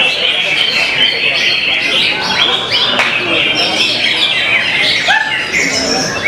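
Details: Greater Green Leafbird (Chloropsis sonnerati, cucak hijau) at a songbird contest on 16 July 2023, where it placed third runner-up, sings a rapid, unbroken stream of bright whistles, chirps and quick rising notes, amid other birds and murmuring human voices.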